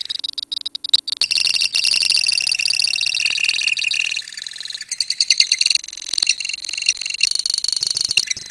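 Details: Several lovebirds of a colony trilling long ngekek song: after a quiet second, sustained rapid, high-pitched chatter runs on, stuttering briefly midway and continuing.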